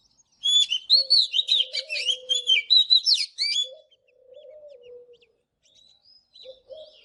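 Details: Morning song of an Oriental magpie-robin, used for training: a fast, varied sequence of whistles, trills and rasping notes lasting about three seconds, with a low, drawn-out cooing in the background.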